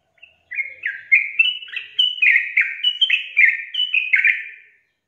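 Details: A brisk burst of sooty-headed bulbul song, about twelve liquid notes jumping between higher and lower pitches in four seconds, used as a lure to get lazy bulbuls singing.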